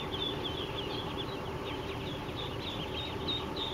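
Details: Young ducklings, three days old, on a duck farm: a crowd of thin, high peeping notes overlapping continuously above a low droning background hum.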